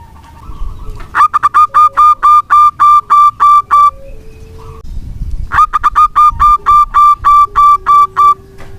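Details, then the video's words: A local zebra dove sings as a lure for silent doves: two long series of around twelve rapid, ringing staccato coos, split by a pause with soft, low drawn-out notes. "Perkutut lokal gacor pancingan ampuh perkutut macet bunyi"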